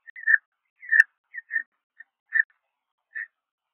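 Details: Peregrine falcon at Liempde, 19 April 2021: the second newly hatched chick gives thin, high peeps, about seven short notes in under four seconds at an uneven pace, against a quiet background.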